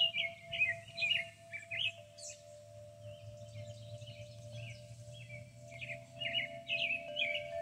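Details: Birds singing in a hackberry tree in Kentucky countryside: a busy run of quick, chirpy warbled phrases, rising and falling, over a steady ringing wind-chime tone and low rumble.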